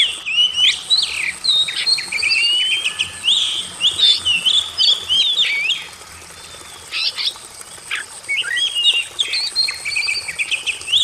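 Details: Oriental magpie-robin song, played as therapy for a bird that has stopped singing: varied loud whistles, quick slurred notes and scratchy chips in a long continuous stream, with a short quieter break midway and a steady high hiss behind.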